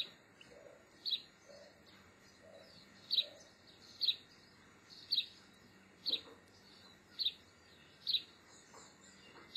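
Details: Juvenile European goldfinches in autumn, September 2015, giving short, sharp, high-pitched calls repeated roughly once a second, about nine in ten seconds, with a few soft lower notes early on against a quiet background.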